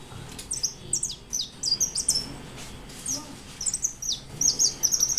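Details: White European goldfinch singing in 2013: quick high twittering and tinkling phrases, bright chirps repeated in short runs over a low background rumble.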